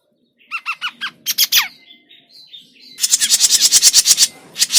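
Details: Grey-cheeked bulbul trapping lure: a series of evenly spaced nasal arched notes, a few sharper squawks, then a long, loud, fast rasping chatter of pulsed bursts.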